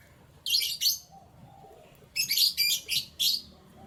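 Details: Canaries singing in the morning: two bright, rapidly trilled high bursts, a pause, then a longer run of four trilled phrases in quick succession.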